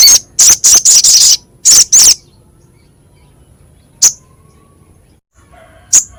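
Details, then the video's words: Crescent-chested babbler, harsh and sharp in voice, kept as training audio for songbirds: a short group of rough, high notes, two more after a gap, then lone scratchy notes spaced far apart. "Masteran Sogok Ontong suara kasar pedas"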